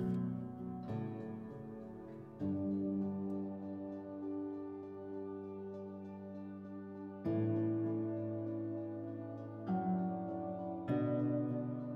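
Soft, sustained ambient music with slow chord changes plays throughout, and no animal calls are heard.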